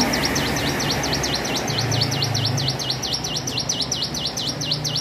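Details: Hill prinia practising its song: an unbroken run of high, clear V-shaped notes, each dipping and rising, repeated a little over twice per second for five seconds over steady low rumble.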